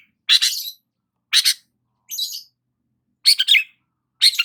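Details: Morning song of a long-tailed shrike basking in the sun, given as five separate harsh, buzzy bursts about one second apart, one of them a thinner, higher rasp, with silence between them.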